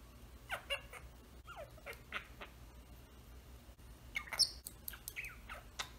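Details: A Senegal parrot closed inside his travel cage gives short squawks, clucks, laughter-like sounds and rising whistles at irregular intervals, with a louder shrill burst near the end; faint hum in a small room.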